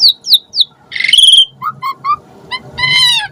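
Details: Asian pied starling giving a varied lure song: falling whistles, a harsh rasp into a bright whistle, short clipped notes, and a final drawn-out buzzy tone.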